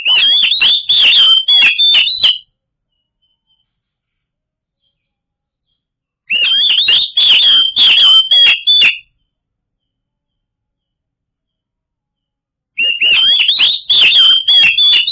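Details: Oriental magpie-robin song played to trigger silent birds into singing: three loud bursts of rapid, varied phrases, each about two to three seconds long, mixing clear whistles with harsh chatters, separated by long pauses of silence.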